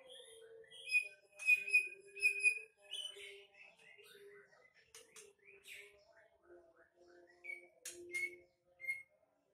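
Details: Female greater green leafbird, a caged bird being readied for breeding with a male from Banyuwangi, gives a varied song of sharp high chirps, short whistled notes and low sustained tones, with brief pauses between bursts.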